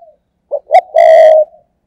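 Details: Close, loud spotted dove decoy giving a thúc gù coo for luring wild doves: two short husky lead notes, then one long, low, hollow sustained coo fading away, otherwise silent.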